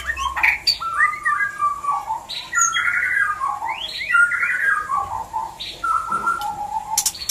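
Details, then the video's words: Mating sound of a white-rumped shama for stimulating breeding: varied rich whistles and slurred warbling phrases in a moderate pitch range, with sharp clicks at the start and end. "MURAI BATU KALIAN PASTI TERPANCING BIRAHI AUTO KAWIN"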